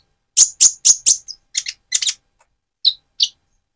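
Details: Van Hasselt's sunbird in spotted plumage sings to rouse another bird: four quick loud high chips, then buzzy doubled notes and two thin whistled chirps after a short pause.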